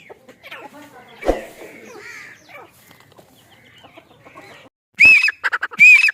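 Grey francolin giving two loud, harsh, shrill calls about a second apart, after a quieter stretch of faint background sounds.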